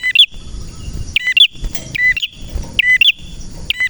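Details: Energetic male prenjak merah, a red prinia: four bursts of sharp, bright paired chirps about a second apart, used to encourage lazy prinias to sing, over a steady thin ringing tone.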